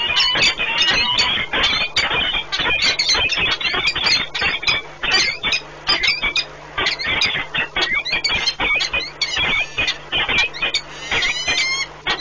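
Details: Peregrine falcon pair bonding during a long nest meeting at Orlen Płock, Poland, 1 March 2019; dense, scratchy squealing calls tumble over one another for the whole stretch, loud and close.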